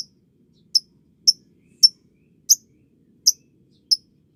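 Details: Lovebird chirping as training audio for young lovebirds: six single, sharp, high-pitched notes, evenly repeated roughly every half second to two-thirds of a second, against near silence.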